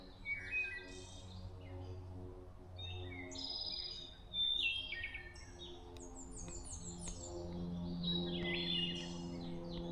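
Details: Several wild Hermit Thrushes singing at a campsite on the Appalachian Trail in Connecticut, with flute-like song: clear whistled phrases at varied pitches, some with rapid fluttering high notes, a low steady hum underneath.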